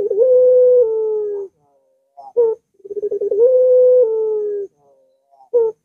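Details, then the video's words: Repeated Barbary dove song for luring a reluctant dove into singing. Two long, low, drawn-out hoots, each opened by stuttering pulses and stepping down partway, with short abrupt coos between phrases. "Puter Macet Puter Malas Bunyi Langsung Ngaut"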